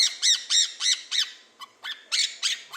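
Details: Quaker parrot kept as a family pet gives an imitated laugh: a quick string of rasping, arched chuckle notes, about three a second, pausing briefly midway before resuming.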